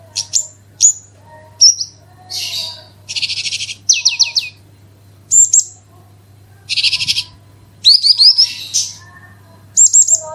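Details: Branjangan, or Horsfield's bush lark, singing a lure in 'gacor super roll tembak' style: separated bursts of high whistles, buzzy rattles and clustered chirps with short pauses between, plus a soft low hum.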